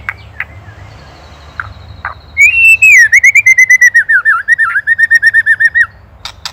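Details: White-rumped shama from Indonesia in a master recording for training songbirds: a long, loud warbled trill of rapid wavering notes lasting over three seconds, preceded and followed by scattered clicks.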